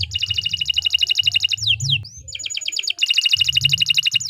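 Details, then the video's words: Canary long song for teaching other birds: fast continuous trill of high doubled notes, two descending sweeps, a rising whistle, then the rapid trill resumes over low hum. "3 Suara Burung Kenari II GACOR PANJANG Cocok untuk Masteran"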